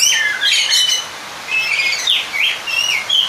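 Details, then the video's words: Short burst of kacer, the Oriental magpie-robin, singing to draw out an opponent. It starts with loud chattering notes, then gives clear sliding whistles in three or four quick phrases. "Pancingan suara Burung kacer/ mencari lawan Bikin Emosi seketika"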